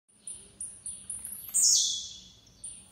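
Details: Blue-black grassquit singing: a run of short, sharp high notes at even spacing, then one loud buzzy note that sweeps downward and fades, followed by another high note.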